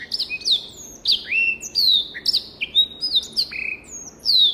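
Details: Black-throated canary, a finch native to Africa, singing a clear tutor song used to teach other birds; rapid varied phrases of sharp descending whistles and slurred notes, several per second, with quiet background.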